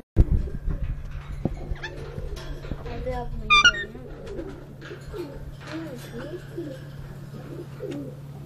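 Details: Rose-ringed parakeet talking indoors at a dairy farm in Bahria Town, Lahore, Pakistan: low, wavering speech-like syllables run through the clip, with a brief shrill squawk near the middle over a steady electrical hum.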